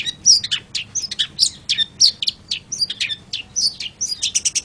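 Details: Long-tailed shrike (cendet) singing a fast, scratchy, varied run of high chirps, short whistles and buzzy notes packed closely together, with a few sharp downslurred whistles standing out.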